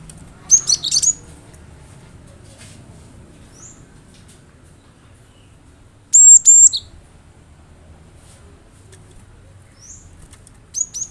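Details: Cinereous tit song used to coax a kept bird into singing: short volleys of high, piercing chirps early, a loud doubled phrase near the middle and another burst at the end, with isolated thin notes between and quiet hum.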